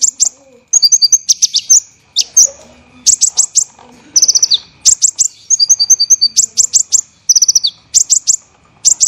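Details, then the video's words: Training song of the olive-backed sunbird (kolibri ninja) for songbirds, tight and rough: continuous high, scratchy chirp volleys mixed with fast descending trills and doubled ringing notes. "MASTERAN KONIN tembakan rapat dan kasar"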